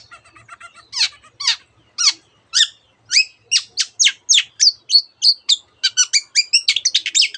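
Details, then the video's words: Long-tailed shrike singing a rapid mimicked medley of canary and other bird phrases, with sharp downslurred notes accelerating into a dense run of high chips toward the end. "cendet gacor nembak nembak rapat isian kenari dan banyak jenis burung yang masuk masteran"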